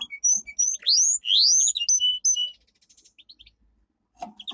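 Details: Domestic canary song for training: sweeping rising whistles and short chirped notes in a burst, followed by near silence and faint low knocks.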